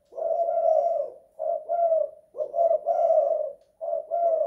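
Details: Low hollow coos from a spotted dove indoors, two-kuk, one-guk song style, delivered as separate rolling phrases with clear silent gaps between them.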